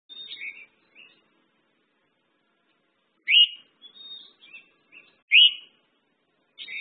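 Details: Red-whiskered bulbul singing short bright warbled phrases, loud slurred notes rising and falling, separated by pauses of one to two seconds, with quieter chirps between them in an otherwise quiet setting.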